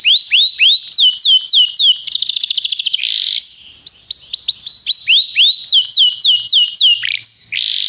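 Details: Belgian canary tutor song: bouncy rising-and-falling whistles repeated in quick rhythm, broken by a short buzzing trill and a brief quiet moment, then more looping phrases ending on a harsh burst.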